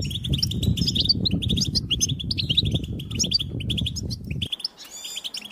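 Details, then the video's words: Goldfinch song for stimulating other goldfinches to sing: lively, choppy high tweets and trills over a steady low rumble that stops abruptly, leaving the sparse chirps clearer at the end. "Cute birds chirping to stimulate the goldfinch"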